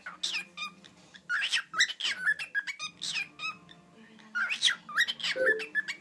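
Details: A male pet cockatiel (Nymphicus hollandicus) talks, mimicking human words such as "daddy" in squeaky, chattering bursts mixed with bright whistled notes.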